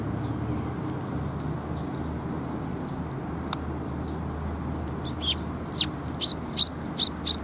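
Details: Sparrows visiting a feeding platform to get food, 7 June 2021. After a quiet start with faint distant chirps, a run of about six loud, high chirps repeats roughly every half second toward the end.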